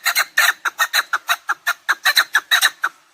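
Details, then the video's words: Chukar partridge giving harsh, clucking chuk notes in uneven pairs and singles, about five a second, loud and close, the run fading at the end. The recording is meant as a lure for hunting partridges. "Овози кабк кеклик калик пение каклик мастак модкабк"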